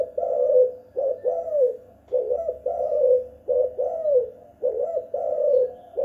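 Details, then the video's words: Spotted dove recorded at home calling in the kuk gantung style, used as a lure: low mellow coos in paired notes, a short kuk then a longer rolling coo, repeated steadily about once a second, with a faint indoor hum. "PIKAT 2 KUK/ GUK GANTUNG tekukur/derkuku GACOR"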